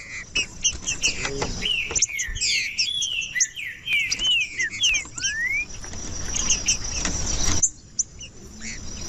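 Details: Green-winged saltator delivering tumbling whistled slurs and one long rising whistle, followed by a stretch of hiss and faint high chips.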